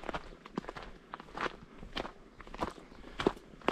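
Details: Footsteps crunching on a dry rural path, with faint outdoor background and no animal voices.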